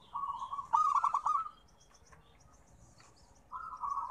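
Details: Local zebra dove song, used as a therapy recording for birds reluctant to sing: a low trilled, rolling coo phrase, loud then fading, followed by quiet and a second softer trilled phrase.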